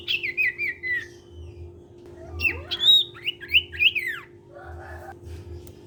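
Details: Sirtu cipow singing to encourage untrained sirtu birds: quick descending whistled notes, then swooping upward-and-down slurred whistles in a lively run, over a constant low hum.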